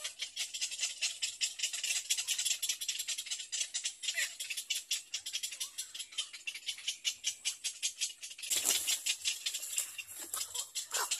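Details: Two hungry little egret chicks beg with a dry, raspy rattling chatter, fast harsh pulses repeated almost without pause, growing louder and more insistent near the end.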